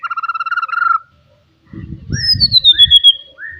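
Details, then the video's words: White-rumped shama from the forest with loud rival-provoking song: a steady pulsed whistle held for about a second, a pause, then clear descending whistled slurs over low background rumble. "KICAUAN ASLI MURAI BATU HUTAN. MEMANCING EMOSI LAWAN"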